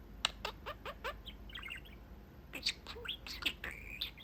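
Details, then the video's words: Talking pet budgerigar at the window of its cage with its owners: a run of about five quick chirps, a brief warble, then a burst of squeaky chatter ending in a drawn-out buzzy note. "Talking Parakeet"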